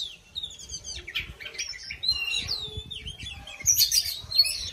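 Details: Oriental magpie-robin in song during a dancing display, pouring out a rapid jumble of high chirps, slurs and twittering notes that grow louder and higher toward the end.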